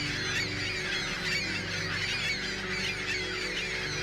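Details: Ring-billed gulls on migration, a crowded flock giving many overlapping high, harsh squeals and squawks in rapid succession, with a constant low mechanical hum beneath.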